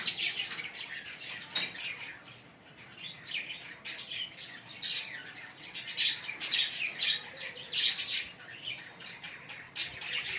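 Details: A pair of green Fischer's lovebirds singing and chirping, with steady, uneven runs of thin, high, scratchy chirps and squeaks that overlap at times, throughout the clip.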